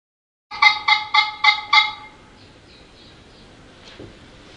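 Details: A wild bird, approaching a person for food, gives five quick, nasal, harmonic-rich notes in a steady burst over about a second, then falls silent; a soft knock follows against faint background hiss.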